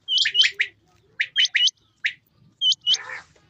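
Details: Male and female quail heard in rain, giving clustered high chirps, some with hooked upward tips, in quick groups of two or three separated by short pauses, with a faint low murmur beneath.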